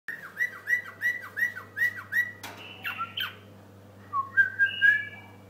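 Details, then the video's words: White-eared bulbul song: about eight quick clear whistles, each dropping sharply, then a few harsh buzzy notes and a rising, level whistled phrase over a steady low hum. "بلبل حساوي"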